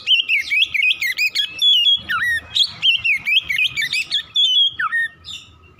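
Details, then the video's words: Oriental magpie-robin singing in the morning, a recording to stimulate fast singing: continuous bright whistled warbling with quick up-and-down slurs and sharp accents, dropping to a few thin whistles in the final second. "PANCINGAN KACER PAGI HARI CEPAT NGROPEL BUKA PARUH"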